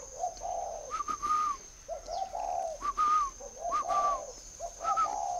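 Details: Spotted dove from a breeding farm near Hanoi in northern Vietnam, giving repeated low mellow coos mixed with short whistled notes, roughly once a second, against a faint constant hiss.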